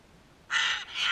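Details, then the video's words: Sulphur-crested cockatoo in a backyard: one harsh, raspy screech lasting about a third of a second, then a brief gap and a second grating burst starting again at the end. "sulphur crested cockatoos"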